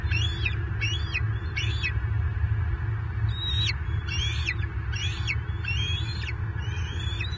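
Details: Bald eagles at a nest in Southwest Florida on 24 March 2023, as a fish is delivered and claimed. High, thin piping notes come in quick bursts, each starting with a sharp rise. A heavy low hum and rumble run underneath.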